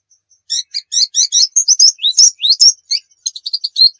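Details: Pleci dakun white-eye from Pacitan singing in vigorous full-fill style for tutoring other birds: high, sweet chirps in quick paired bursts, then sliding whistled notes and rapid twittering, almost without pause.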